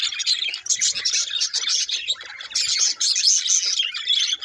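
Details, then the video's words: Budgie parakeets warbling together in a dense high chatter, fast twittering notes and squeaky chirps overlapping without pause, with a short quieter patch near the middle. "Do Budgies Get Jealous Watch This Drama Unfold!"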